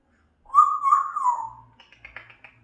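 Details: African grey parrot kept as a pet, giving a single clear whistle that wavers slightly and slides down over about a second, followed by a few faint soft clicks.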